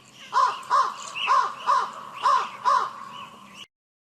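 A crow gives six harsh, nasal caws in quick succession, roughly two per second in pairs, each a rough downward-bending croak.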